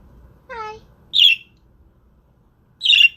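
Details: Pet budgerigars indoors: a rising whistled note with clear harmonics, then two short harsh buzzy chirps spaced well apart, over faint low room hum.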